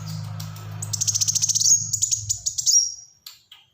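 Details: Black-throated sunbird giving a fast, high trill that rises into a thin sustained whistle, with a low mechanical hum beneath.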